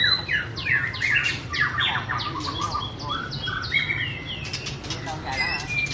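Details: Singing, dancing white-rumped shama delivers a rapid string of bright, downward-slurred whistles and chirps that blend into softer twittering, with steady low background rumble.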